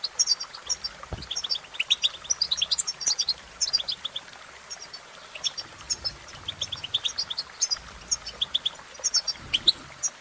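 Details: Lively goldfinch song of dense twittering phrases, rapid chirps and short buzzy trills, with a couple of brief clicks and a soft low murmur underneath.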